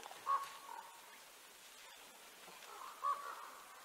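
A white-tailed eagle gives two short, clear mid-pitched notes about three seconds apart over a soft, steady outdoor hiss.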